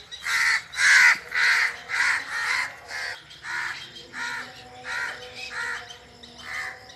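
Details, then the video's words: Forest bird calls: a loud run of harsh, hoarse notes that gradually fade and grow more spaced out, repeated about twice a second, over a soft background hum. "the original sound of birds under the forest"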